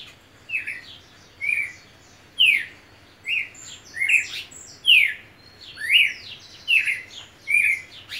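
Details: Red siskin song of short slurred chirps repeated roughly once a second, each a bright downward-sweeping note with faint higher twitters between phrases, in a quiet room.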